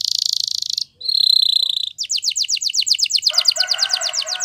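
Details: Training song of a Spanish Timbrado canary: rapid high trill, a brief pause, a level metallic roll, then a long series of quick descending clicked notes repeated several times a second.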